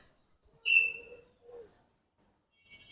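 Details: A large captive talking common hill myna (Gracula religiosa), basking in the sun, gives a loud, piercing whistle that slides slightly downward, then a shorter, lower note, over faint background music and a voice.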